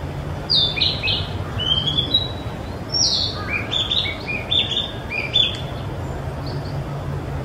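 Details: A young male Narcissus flycatcher, still much brown, sings in a dark spot at Mizumoto Park on 27 April 2023: quick phrases of clear high whistles and short slurred notes against a steady low rumble.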